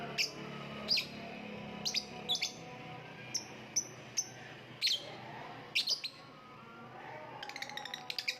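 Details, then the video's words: Lovebird chirping in scattered sharp, high notes, single and paired, irregularly spaced, ending in a quick rattling burst; a low background hum continues throughout. "voice of lovebird / Lovebird kicau"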